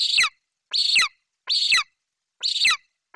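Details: Young golden eagle, Bucovina, screaming with excitement at prey arriving in its mother's talons; four loud, rasping, shrill calls, each about a third of a second with a downward slide, spaced roughly 0.8 seconds apart.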